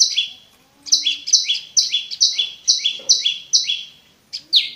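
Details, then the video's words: Prinia called prenjak lumut, sung clearly as a lure for caged birds that have gone silent. After a short quiet start, a quick run of high, sharp double notes falls in pitch at about two per second, then pauses before two more notes. "SUARA BURUNG PRENJAK LUMUT"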